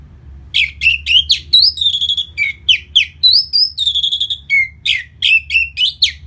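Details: Post-moult Orange-headed thrush song from Bali meant to make the bird more aggressive: a continuous rapid stream of varied whistles, some rising, some flat and sustained, about three to four notes a second.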